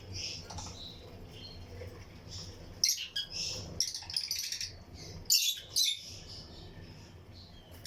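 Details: Breeding colony of lutino lovebirds in an aviary, with other birds singing along. Softer chatter early, then loud bursts of shrill, scratchy chirps in clusters, over a low background hum.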